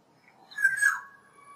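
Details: A black-naped oriole (Oriolus chinensis) gives a single mellow, slightly nasal note lasting about half a second and dipping lower at the end, against a quiet background.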